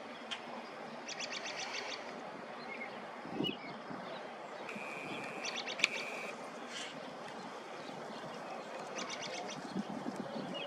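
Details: A robin sings in dry, warming spring air: short bursts of quick, high chirping notes every few seconds, with a brief steady whistle, over constant rushing background noise.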